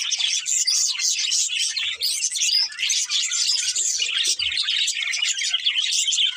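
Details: A budgerigar pair pours out an unbroken stream of rapid, squeaky high chirps and twittering warble, with an otherwise clean background.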